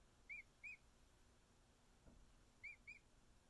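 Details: Emu chick a little over a week old, cuddling with its keepers: high, thin whistled chirps, each briefly rising then falling, given in two pairs about half a second apart, with a quiet pause between.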